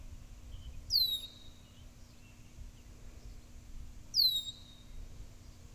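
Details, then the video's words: Blackbird giving two thin, high, downward-sliding calls about three seconds apart over a low steady hum. "Blackbird Making Noises"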